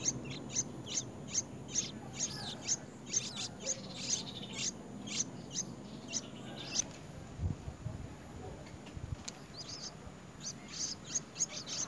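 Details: As a white-browed bird brings a very large insect to feed its young, thin, high nestling chirps repeat about twice a second, pause briefly, then resume in a faster burst over faint background hiss.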